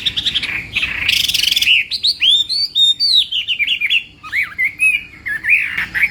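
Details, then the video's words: Chinese hwamei singing in a contest-style morning voice training session: loud, varied whistled phrases with rapid slurred notes rising and falling, a harsh burst near the start, then a stream of looping, bouncing whistles. "Hoạ Mi Hót Đấu /hoạ mi hót sáng luyện giọng"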